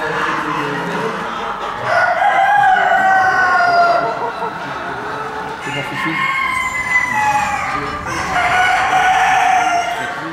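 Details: Crèvecœur chickens, cuckoo-coloured hens and roosters, indoors at the 26th French championship of Normandy poultry breeds, Gournay-en-Bray poultry market hall, December 2016; three long, drawn-out crows a few seconds apart, rising then falling, over a steady murmur of crowd chatter.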